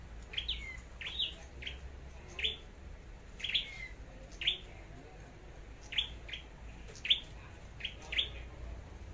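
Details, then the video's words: Competitive singing of a red-headed flowerpecker (chim sâu đầu đỏ), a decoy bird being trained in Long Thành, Vietnam: a steady series of short, thin, high chips roughly every half second to second, with a low hum beneath. "Chim Sâu Đầu Đỏ Hót Đấu"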